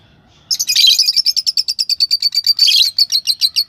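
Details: Lovebird chirping in a fast, steady run of high, bright squeaks, roughly eight per second, starting after half a second of quiet and continuing without pause to the end.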